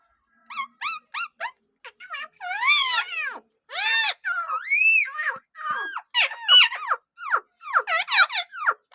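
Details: Rose-ringed parakeet talking in a sweet voice indoors: a run of short rising squeaks, then arched, speech-like warbling syllables with harmonics, broken by brief pauses and ending in quick falling chirps.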